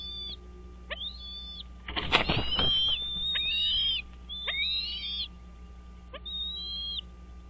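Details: American bald eagles at a nest on Dale Hollow Lake, on the Kentucky–Tennessee line, just before six in the morning on 4 March 2023. Repeated high, thin whistles sweep upward and level off, broken by a burst of rustling noise.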